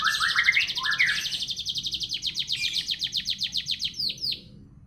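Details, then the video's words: Domestic canary with an unusual song: a few rising whistles lead into a fast, even rattle of high pulsed notes, about four per second, that slows and ends in downslurred chirps. "burung kenari suara aneh bangat"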